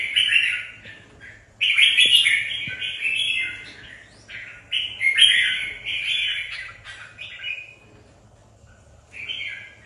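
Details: Red-whiskered bulbuls, competition birds being readied for a tournament, singing bright, warbled phrases in bursts of one to three seconds, rich and chattering, with quieter gaps and soft overlapping notes between phrases.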